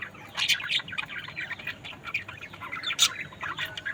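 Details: A group of budgerigars gives rapid, high squawks and chirps, loud bursts at the start and near the end over steady background twittering.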